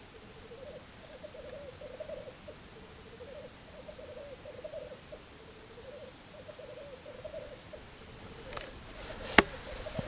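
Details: Black grouse recorded from a hide during a weekend stakeout: a continuous low bubbling, cooing warble in rolling phrases of a second or so, repeated without pause, with a couple of sharp clicks near the end.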